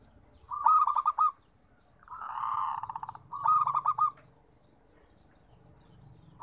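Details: Local zebra dove song: two loud stuttered, bubbling coo phrases separated by a longer, smoother purring coo, then a brief start of another phrase; low hum faintly underneath.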